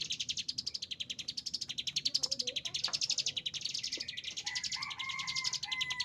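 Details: Agitated Chinese hwamei pouring out rapid, high staccato notes at close to four per second, with a sustained whistled tone rising faintly in the background toward the end.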